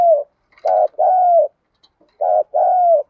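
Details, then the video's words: Calling female spotted dove, a decoy meant to attract males. Two loud double coos, each a short throaty note and a longer slightly descending one, separated by a brief pause with faint clicks. "Tiếng cu gáy mồi thúc gù kích bổi chuẩn_Cu gáy mồi gáy gọi 1 hậu / Chim cu gáy mồi kích trống"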